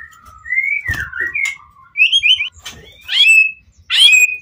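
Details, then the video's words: White-rumped shama singing in full emotion to provoke other shamas into answering: clear whistled phrases sliding up and down, separate bursts of bright rising notes, with faint low clicks and knocks. "Murai Batu Pastol PTRK BF full emosi ... pancingan murai lain bakalan nyautt.."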